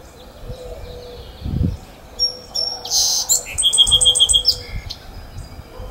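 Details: Sparrow singing beside Aptos Creek during a walk: scattered high thin notes, then a buzzy burst and a rapid, evenly spaced run of about six bright whistled notes, ending in a short buzz, over a low steady rumble of background noise.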